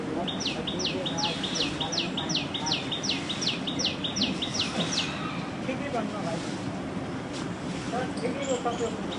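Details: Common tailorbird (Orthotomus sutorius) with black throat patches, calling heavily during the nesting season: a loud, rapid series of about a dozen sharp, down-slurred notes over roughly two and a half seconds, then only steady broadband background noise.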